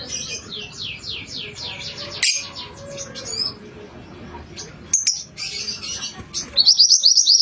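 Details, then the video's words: Yellow mantenan singing actively as a lure for wild birds: series of quick, high, downslurred notes, a few sharp clicks and knocks, then a fast, bright burst of repeated chips at the end over faint background hiss. "Mantenan kuning rajin"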